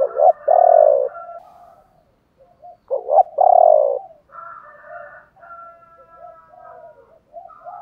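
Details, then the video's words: Spotted dove cooing, male and female voices included, to stimulate other doves to sing: loud throaty rolling coos in two bursts, with softer overlapping coos and higher calls around them. "tiếng chim cu gáy chiêu ba hậu"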